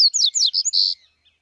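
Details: Bahia seedeater singing a short phrase of clear sliding whistles, several quick descending notes followed by one longer steady whistled note, then silence.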